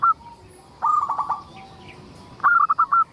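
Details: Local zebra dove singing constantly to coax other zebra doves into song; a brief note, then a fast phrase of clipped cooing beats, a quiet gap, and a second rapid phrase of five notes.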